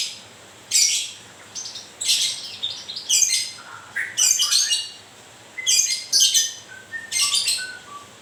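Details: Moulting white-rumped shama producing grewek song: loud grating bursts in groups, separated by short gaps, each trailing off into soft descending whistled notes.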